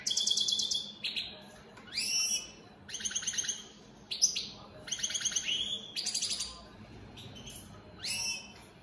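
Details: Opal split Satane goldfinch mutation singing a fast, high-pitched twittering song of chattering trills, tinkling notes and downward-sweeping buzzes, phrase after phrase with short breaks.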